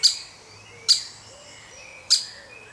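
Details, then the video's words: Young woodpecker being fed at the nest, from a family of woodpeckers, uttering three separate sharp, high chirps with abrupt clicky onsets, spaced about a second apart, with quiet in between. "Baby Woodpecker Being Fed"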